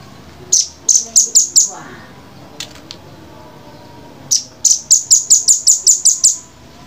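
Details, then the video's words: Velvet-fronted nuthatch, or red-billed nuthatch, giving clear, sharp, very high chips in quick bursts: five notes, a pause with faint clicks, then a longer run of about eleven evenly spaced piercing notes. "masteran jernih rambatan paruh merah"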